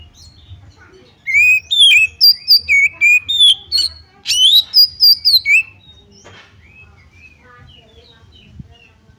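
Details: Oriental magpie-robin song used as a provocation to rouse another bird into fighting: a rapid run of clear whistled notes with sharp upslurs and downslurs, roughly four per second for about four seconds, bracketed by quiet background.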